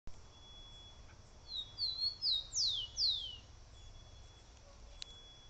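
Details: Wild songbird singing to attract a female: a short phrase of clear high whistles, first thin level notes, then two loud sweeping downslurs, over a steady faint high tone and light background hiss.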